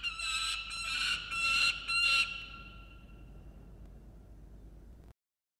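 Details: Peregrine falcon at a nest-cam in Orange, NSW, Australia, 26 June 2021, apparently over food, gives four or five harsh, grating squawks in about two seconds, then falls quiet; faint ringing tone and low rumble follow.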